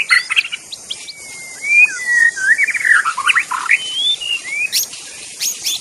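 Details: Magpie-robin in the wild forest giving a flowing song of long sliding whistles and rich warbled notes, with a constant shrill insect drone behind.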